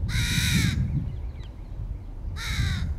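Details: Crow calling while feeding its 2022 young: two loud, hoarse caws, each lasting under a second, separated by a quiet gap, with a low rumble beneath.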